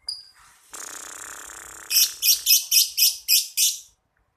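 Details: Champion lovebird from Jakarta, ngekek style: after a low hum and faint noise, seven loud, harsh, high-pitched chattering bursts come in quick succession, about four per second.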